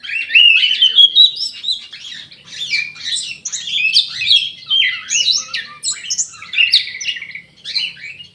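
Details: Aviary Orange-headed thrush in full song, a dense, fast stream of varied whistles, trills and squeaky notes that jump up and down in pitch almost without pause.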